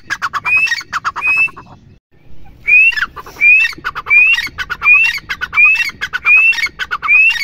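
A female partridge gives harsh, scratchy notes, each with a short rising whistle, repeated briskly about once a second after a brief pause.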